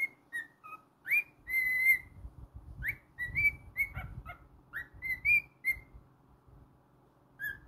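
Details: Domestic cockatiel whistling a lively tune: clipped notes and a few longer, steady whistles, several sharply upslurred, with faint low rustling beneath.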